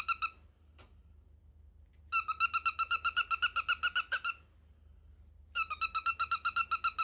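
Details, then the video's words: Pet cockatiel indoors making a creaky, squeaking call. Rapid pulsed squeaks repeat about four times a second in bursts of a few seconds, separated by short silences, sounding like a squeaky hinge. "I think my cockatiel needs oiling"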